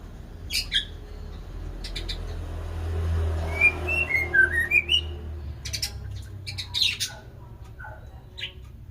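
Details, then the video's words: White-rumped shama song with scattered sharp chirps. In the middle comes a short run of rising and falling whistled notes, and more clicks and chirps follow. "Burung Murai batu"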